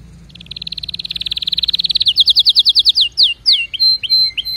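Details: Canary trill rising gradually in loudness, a long run of rapid repeated notes slowing into distinct slurred syllables, ending with short whistled notes repeated three times.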